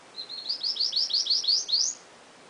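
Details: Caged seedeater starts with a few soft short notes, then a run of about eight louder, high, upward-sweeping chirps at an even quick pace lasting nearly two seconds; quiet background.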